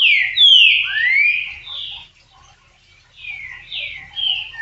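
A Green-winged saltator gives two short phrases of rich, slurred whistles, sliding up and down, separated by a brief pause. A faint low rumble sits underneath.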